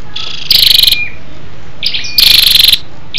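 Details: {'t': 'Female scarlet-backed flowerpecker calling to rouse males: two loud, high, rattling tick-bursts of about ten quick pulses each, preceded by thin high whistled notes.'}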